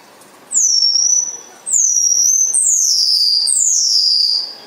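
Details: Spotless starling song: four loud, high, thin whistles, each starting high and sliding downward. The first two come close together, then there is a short gap before the last two follow in quick succession.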